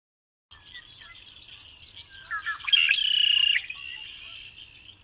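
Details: Red-winged blackbird song: soft chattering notes build to sharp slurred notes, then a loud buzzy trill held about a second before trailing off into quieter chatter.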